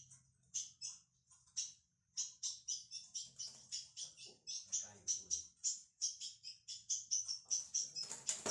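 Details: Song of a young ultramarine grosbeak in training: rapid high chipping notes delivered in long even runs after a short pause, with soft low voices in the background and a rustling burst at the end.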